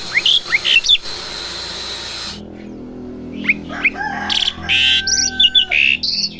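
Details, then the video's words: Home-kept Asian pied starling practising its sounds: clusters of sharp whistled slurs, then a pause and a second phrase mixing harsh buzzy bursts with long steady whistles, all fairly loud against a low room hum. "jalak suren rumahan belajar bunyi"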